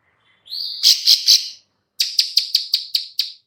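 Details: Female bar-winged prinia clicking call, used to draw in other birds: a buzzy rising note leading into three harsh clicks, a pause, then a quick series of sharp clicks.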